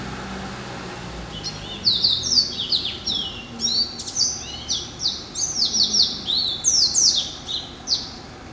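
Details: Yellow-eyed canary and timbrado crossbreed, a domestic male hatched November 2012, begins after a quiet start with a lively series of high slurred trills and rapid rolling phrases.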